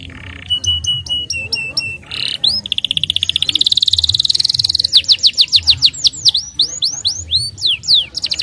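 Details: Starblue canary song, used to coax young canaries into singing quickly and rolling: a few steady whistled notes, then a long buzzy rising trill, then rapid downward-sweeping high notes repeated in quick series.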